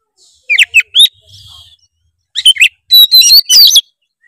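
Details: Varied 'gacor full isian' song of an oriental magpie-robin, played to coax a reluctant bird into singing: a few sharp chirps and a soft buzzy note, then a rapid run of bright whistles and scratchy notes.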